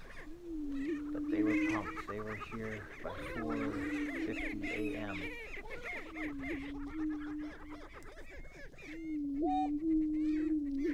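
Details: Male greater prairie-chickens displaying at a lek in Tympanuchus Wildlife Management Area, northwest Minnesota, on a frosty 29-degree April 2019 morning, with males facing off and females watching. Steady low moaning hoots hold one pitch, with higher cackles and whoops and some overlapping voices.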